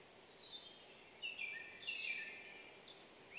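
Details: Short, downward-sliding whistles from a Eurasian nuthatch, bunched into a few quick phrases near the middle. Thin high chirps close the phrase, with soft outdoor hiss underneath.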